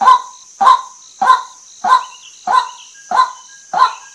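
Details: A female white-breasted waterhen gives seven loud, hoarse, honking notes at a steady pace of about one every 0.6 seconds, above a continuous thin high hiss.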